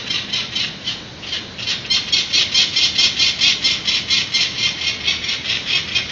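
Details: Adult peregrine falcons at a San Francisco ledge nest, filmed by webcam on 19 April 2018 just after their three chicks were banded, parents flying and landing; harsh rapid cacking notes repeated about twice a second in a steady series.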